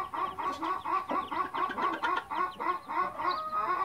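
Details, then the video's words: Mother hen with chicks: a dense run of rapid, evenly repeated chirps and clucks, about four per second, sharp harmonic notes near one kilohertz, continuous throughout with no pauses. "Blue light Mother Hen and cute Chicks"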